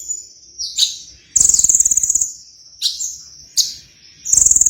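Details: Sunbird singing actively: very high thin chirps and short sliding notes, broken by loud rapid rattling trills lasting nearly a second, repeated twice.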